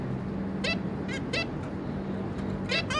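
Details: Zebra finch adults and their three juvenile young, 26 May 2022, calling in short repeated nasal beeps, several in quick pairs, with a constant low hum underneath.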